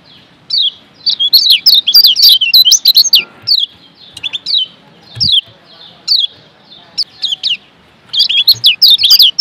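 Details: Lombok white-eye song used as a training model for other birds: lively, high twittering of rapid chirps and slurred whistles in dense bursts, about three notes a second, broken by brief gaps, then a busy final flurry.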